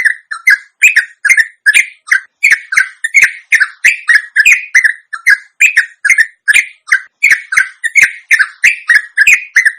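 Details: Sooty-headed bulbul from Indonesia giving long ropelan, a continuous rapid song used as a lure to make caged birds answer and sing; loud, bubbly fluted notes, about two to three short phrases per second, steady, no other sounds.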